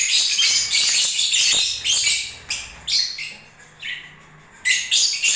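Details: Lovebirds during breeding season chattering rapidly with shrill twitters and squeaks, continuous at first then broken into short bursts separated by brief quiet.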